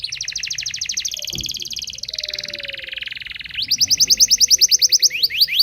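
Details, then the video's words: Local canary singing as a teaching lure for young canaries: a long, dense buzzy trill with a lower rattling section. It then breaks into loud, regularly pulsed rising notes roughly every fifth of a second. "Suara Burung kenari lokal super gacor bagus untuk pancingan kenari belajar bunyi"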